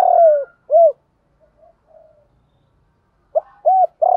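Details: Cooing of spotted doves, male and female, used daily to train captive birds and provoke fighting: a long low coo, then two short arched hoots, and after a quiet gap the phrase returns, ending in a sustained coo.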